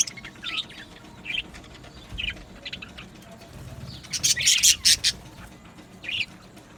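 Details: Budgies in a colony aviary giving short chirps in small bursts, then a loud run of rapid chirps with wing flutter in the middle, quieter chirps before and after.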